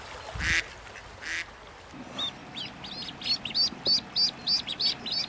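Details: Two coarse quacks open, then ducklings on a lagoon take over with a fast, steady string of thin high peeps, about three each second.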